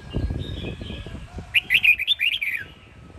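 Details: Red-whiskered bulbul, home-raised, of the Sông Kon song style from Quảng Nam, Vietnam, sung by a competition bird: faint twittering, then a loud burst of about eight quick, bouncing whistled notes in roughly one second.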